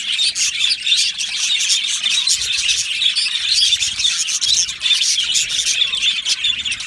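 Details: Yellow male budgies chattering in an aviary, a continuous mass of high squeaky chirps and short whistled notes from many birds, unbroken and fairly even in volume.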